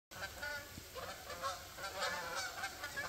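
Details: Geese giving a continuous series of nasal honks, overlapping and irregular, several birds calling at once with harmonic-rich calls and a steady high-pitched background tone.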